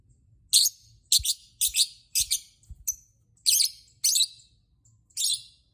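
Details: Lovebird chirping to provoke other lovebirds into singing: harsh, high, buzzy chirp bursts, mostly single or in pairs, given about every half second with short irregular gaps.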